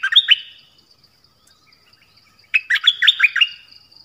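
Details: Captive Dok Taeng bird singing a varied song of clear, sharp whistled notes with quick upward and downward slurs in two bursts, a short opening phrase, a long pause, then a longer fast series of about eight notes.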